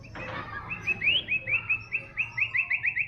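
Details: White-rumped shama singing, described as gacor (in full, constant song): a fast series of bright whistled notes, then rapid repeated rising chirps about five per second, with a steady low hum underneath.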